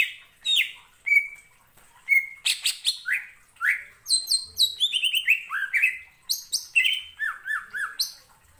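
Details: Energetic greater green leafbird song meant to stir other birds into singing, a fast varied run of whistled slurs, rising and falling notes and sharp chips that keeps going almost without break.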